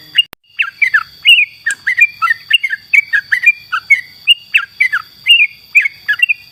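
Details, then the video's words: Lively singing yellow-vented bulbul, a tutor recording: a brisk, continuous string of bright, slurred chirps with rising and dipping notes, about three per second, after a single click, with a constant high-pitched tone behind. "masteran Burung kicau trucuk trucukan gacor"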